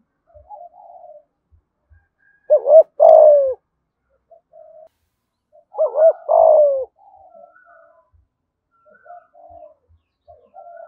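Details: Spotted dove in Dong Nai, Vietnam, calling in "thổ" voice style: two loud phrases, each a brief wavering double note followed by a sustained descending coo, with faint quieter coos scattered between.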